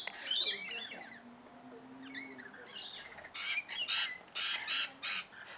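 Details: Rainbow lorikeets calling in Queensland, Australia: grating chatter opens the recording, then a run of loud, rasping, high-pitched squawks arrives in quick pulses near the end.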